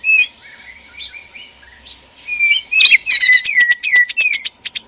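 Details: White-rumped shama pair, male and female, in a breeding cage, sound meant to stir mating: soft, faint warbling for nearly three seconds, then a loud burst of rapid sharp chirps and whistled slurs repeated about three per second.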